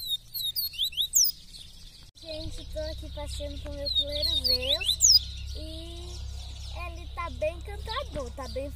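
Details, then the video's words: Caged male double-collared seedeater in Brazil on its early morning outing between 5:30 and 6:30, singing eagerly; quick high whistled slurs, then lower buzzy repeated notes alongside a woman's voice and background hum. "A MENINA DO PAPA CAPIM MAIS RÁPIDO DO BRASIL"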